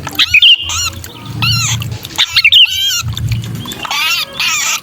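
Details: Sooty-headed bulbul distress call of a pinched, trapped bird, used to lure wary bulbuls down; harsh, arched, harmonic squawks repeated in quick bursts, with sharp whistled notes and a low rumble underneath.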